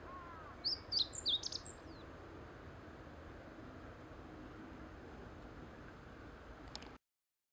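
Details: A meadow bunting sings on a promenade at Teganuma, one quick phrase of high, varied chirps and twitters lasting about a second, over steady background hiss and a thin high whine.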